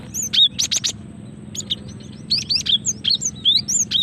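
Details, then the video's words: A female cinereous tit calling as a lure to trigger song: high sliding whistles and a few harsh buzzy notes, then a lively string of twisting whistled slurs, over a soft low hum. "Suara asli gelatik betina untuk pikat dan pancingan"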